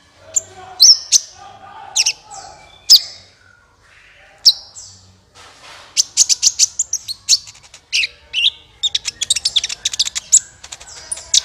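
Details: Kolibri ninja sunbird in a recording played as a trapping lure: spaced high thin squeaks at first, then a dense run of fast, piercing chirps and twittering notes, growing busier toward the end.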